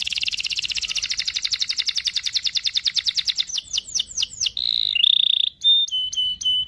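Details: Canary delivering a long rolled song to coax a young canary into singing: a rapid buzzy trill that slows into falling sweeps, then steady whistled tones and clipped high notes.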